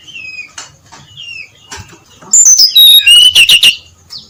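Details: Brown-chested jungle flycatcher singing 'ngeplong' style in the early dawn, used to prompt other birds to sing; soft whistled slurs, then a loud burst of high, fast, descending whistled notes and rapid trills.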